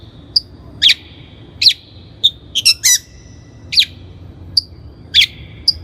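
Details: Long-tailed shrike lure song for training birds: varied high notes, some clipped and some drawn out, with a harsh scratchy burst near the middle and thin whistles between.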